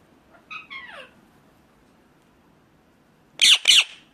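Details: Indian ringneck parakeet: a soft, downslurred squawk early on, a long quiet gap, then two loud, harsh screeches in quick succession.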